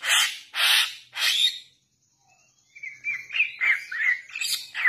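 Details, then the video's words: Young Bali myna lure sounds: three long harsh screeches, a short silence, then a lively series of chattering, slurred chirps. "Pancingan Jalak Bali Muda"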